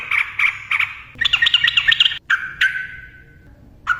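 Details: Yellow-vented bulbul (trucukan) song: three short chattery notes, then a loud bubbling warble, a pause, and a falling whistled phrase that fades out before one last note.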